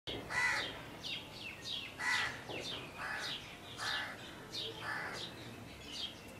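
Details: Female purple sunbird recorded in Lahore Cantonment, Pakistan, giving sharp, high chirps with quick downward sweeps, repeated about once a second in loose bursts against a faint background hiss.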